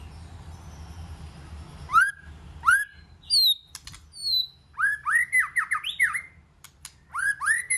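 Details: White-rumped shama delivering a varied song: upswept slurs, a pair of high whistles, then a rapid chain of rising and falling warbles and sharp clicks, over a soft background hiss.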